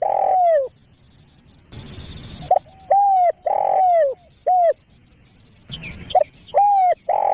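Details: Spotted dove lure call, used to attract other doves: loud, clear coos around 700, each a short note followed by a longer falling drawn-out coo, repeated in phrases with brief pauses and faint hiss between.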